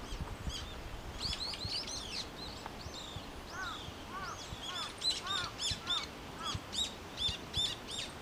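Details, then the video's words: Several brown-eared bulbuls in Japan come to feed on nectar in a blooming cherry tree, crying loudly. There are many arched, squealing notes that overlap in noisy bursts, with a few lower arched notes below. A steady outdoor background runs throughout. "Bulbuls making noise in the cherry tree. 桜の木で騒ぐヒヨドリ"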